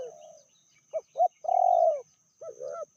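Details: A female spotted dove, reportedly fiercer than the male, gives a brief cooing sequence: two short clipped notes, then one long smooth coo, followed by a softer doubled note.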